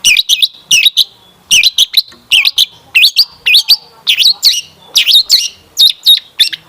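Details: Rich lure song from a long-tailed shrike, used to prompt other shrikes to respond: steady rhythmic groups of two or three sharp, looping high chirps, repeated about twice a second.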